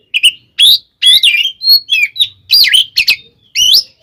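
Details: Oriental magpie-robin in fighting song, used to provoke rivals; rapid run of loud whistled and grating phrases, swooping up and down, packed closely with brief pauses, and a soft low hum underneath.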